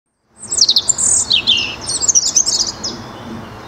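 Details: A European robin in the Netherlands in 2023 sings a thin, high, liquid phrase of quick twittering notes and falling slurs, varied and fluid over about three seconds; faint background hiss.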